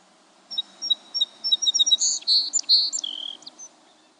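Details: Song sparrow song recorded March 5, 2012: a few spaced, high thin introductory notes, then a quicker run of buzzy, rich notes and a brief closing trill, all bright and high-pitched over faint low background hiss.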